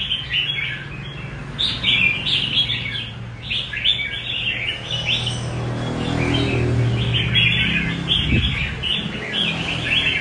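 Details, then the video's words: A red-whiskered bulbul delivers rê cầu style song, clusters of quick, sweet chirps and warbles repeated in bursts, while a louder low hum swells in the second half. "Nết Rê cầu đẹp và khuôn mặt dữ của chào mào"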